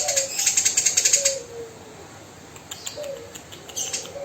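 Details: Tame Eurasian tree sparrow giving a rough 'tembakan' burst: a quick string of harsh, buzzy ticks lasting just over a second, then fainter scattered chirps and a low sliding tone in the background.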